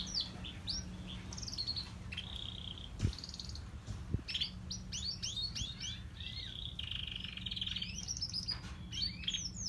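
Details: Grey and crested canaries warbling in varied high twittering phrases with a sustained buzzy trill near the end; two sharp clicks and a constant low hum in the background.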